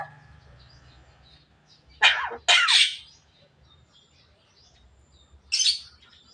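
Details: Javan myna talking until it coughs: faint chatter, then two loud harsh wheezing bursts close together, followed by a third rasping burst a few seconds later.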